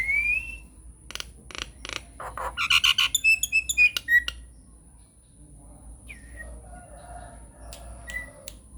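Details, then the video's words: Nias hill myna lure song for prompting silent mynas: an opening rising whistle, harsh bursts, and a dense chattering sequence with high pure notes, then a quieter stretch of faint scattered whistles. "SUARA PANCINGAN JALAK NIAS GACOR BIKIN JALAK MACET LANGSUNG NYAUT"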